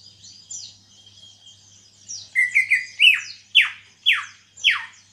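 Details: Cage-kept greater green leafbird, only lately singing after a heavy moult, moves from quiet high notes into a loud warbled run, then four strong whistles each sweeping steeply downward, repeated roughly every half second; low hum throughout.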